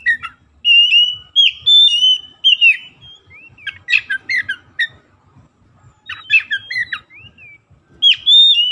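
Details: Oriental magpie-robin song used as a lure to stir silent, sluggish birds into loud singing. Sweet slurred whistles alternate with scratchy, buzzy chatter in rapid irregular bursts, with brief gaps between phrases.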